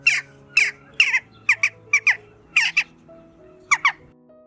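Western Jackdaw giving sharp, metallic 'tchak' calls, often in quick pairs, about twice a second, over soft background music.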